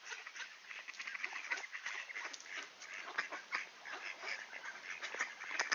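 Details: Ducks welcome someone at the door in Sainte-Adèle, Quebec, Canada, clear late morning in September 2024; loud, rapid, overlapping quacks chatter continuously in an excited burst.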